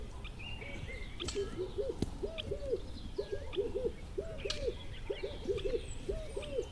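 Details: Wild bird sounds: repeated low arched cooing notes about twice per second dominate, with scattered higher whistled chirps from other birds over a rumbling background.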